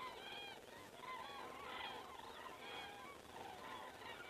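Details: A flock of common cranes flies over in Estonia at 19:10 on 19 September 2017, sending out loud, nasal trumpeting calls with bright upper overtones, repeated steadily and overlapping throughout.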